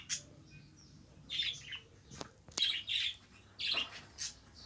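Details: Budgerigar kept as a household pet giving short bright chirps and scratchy notes in separate bursts, spaced unevenly over a few seconds, a click and faint hum in the background.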